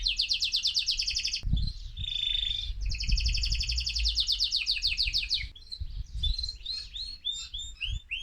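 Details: Singing male mosaic canary, excited, meant to stimulate other birds: loud rapid trills broken by a held whistle, then scattered rising chirps; low thumps and background rumble underneath.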